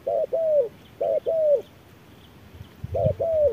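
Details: During a noon contest with an electronic lure, a spotted dove gives two quick low double coos, pauses, then repeats a third pair, each a short note then a longer slurred one, with light rustle.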